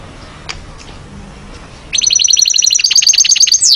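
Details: Actively singing goldfinch: after a quiet start with faint clicks, a fast string of high, rhythmic chirps runs for nearly two seconds and ends on a steep descending note.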